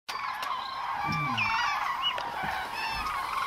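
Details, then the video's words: Common cranes at Agamon Hula, October 2012, a dense flock calling together: overlapping loud trumpeting and rolling bugling notes in many voices, a continuous chorus with some higher whistled notes and occasional clicks. "עגורים באגמון החולה"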